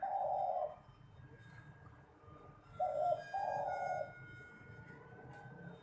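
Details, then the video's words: Spotted dove song for contests: a loud low coo, then a short-plus-long coo phrase, with faint steady whistling tones in the background. "Seni suara burung terkukur/derkukur suara sedap untuk pertandingan"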